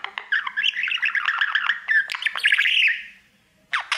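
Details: Caged budgerigar performing its mirror song: continuous bubbly warble of rapid chirps and grating notes fading out, then a sudden loud squawk.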